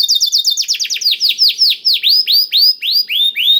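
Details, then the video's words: Blackthroat-tutored canary song, used as a lure so canaries start singing fast; opens with a rapid high trill, then slows into loud downslurred notes at about four per second. "KENARI ISIAN BLACKTHROAT #175 || VOICE OF CANARY"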